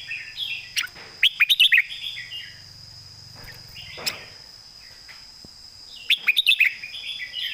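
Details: Red-whiskered bulbul kept in a cage, delivering loud southern master-song phrases: brief warbles at the start, a quick train of sharp clicks, then another burst of clicks and warbling near the end over a steady high hum.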